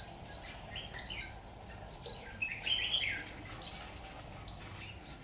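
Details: Red-whiskered bulbul used as a decoy at a trap, 26 October 2019; short warbled phrases of bright chirps rising and falling, scattered across five seconds over a soft steady background hiss.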